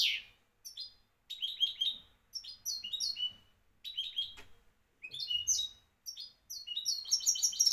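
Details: Moroccan champion-style goldfinch song: repeated phrases of high, sliding, liquid twitters separated by short pauses, growing busier and more ringing toward the end.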